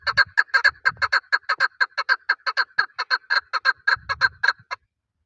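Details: Male chukar partridge, the call used by hunters: a fast, even string of about thirty harsh chuck notes, roughly six per second, ending abruptly, with faint low thumps now and then.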